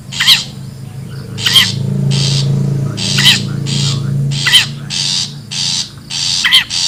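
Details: Long-tailed shrike from the wild, a lure recording: grating rasps and sharp, quavering squeals alternate over a steady low droning hum.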